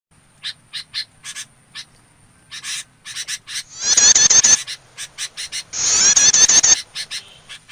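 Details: Bar-winged prinia, noisy lure call used to attract and catch small birds: sharp clicking notes repeated about three times a second, broken by two long harsh buzzy rattling bursts, with a faint steady high hiss.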